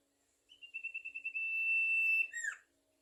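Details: A Sumatran leafbird in full song delivers one long, clear, high whistle, faintly throbbing at first, then steady and loud for about two seconds before dropping away in a curling downward note.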